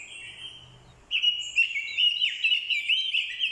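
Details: Decoy Orange-headed thrush in fighting song, alongside a female's calls that stir a male to sing; a faint thin tone opens, then loud, fast, fluty warbling with shifting pitch bursts in after one second.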